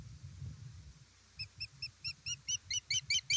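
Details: Osprey calling at its Estonian nest on 1 September 2019 during a fish delivery: a steady low hum, then a string of thin, high piping notes starts faintly and swells, repeated more than twice per second.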